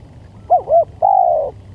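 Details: Spotted dove (tekukur) lure call: a pair of quick dipping coo notes, then one long sustained coo that slowly falls in pitch, with a low background hum.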